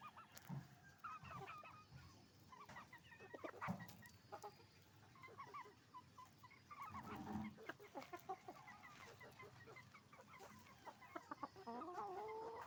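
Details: Roosters and hens at a chicken farm: a long stretch of crowded clucking and cackling, loud bursts rising and fading, a few drawn-out squawks near the end, with a low rumble underneath.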